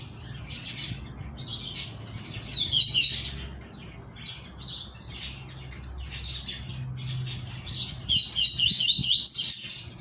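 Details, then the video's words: Rusty-collared seedeater returning from moult, tui tui mosquito song: scattered high chirps and short bursts, with quick runs of sharp repeated notes near the middle and end, over low background rumble. "COLEIRO TUI TUI - MOSQUITO"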